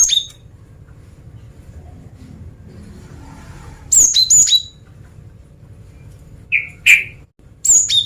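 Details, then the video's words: Cinereous tit, a female luring males, sings after a quiet pause: a pair of high, sharp whistled phrases that step downward, then a lower buzzy note and another high phrase near the end. "Suara Gelatik Batu Betina Gacor Mancingan Jantan"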